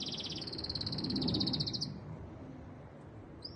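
A canary delivers a fast, high rolling trill of rapid repeated notes for nearly two seconds, then falls quiet before a brief high note; low room rumble underneath.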